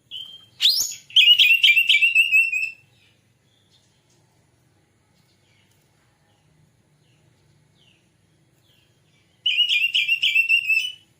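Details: White-rumped shama lure song intended to get a bird singing and opening its tail: a sharp rising note, then a quick rattle of bright repeated whistles, long silence, and another fast whistled series near the end.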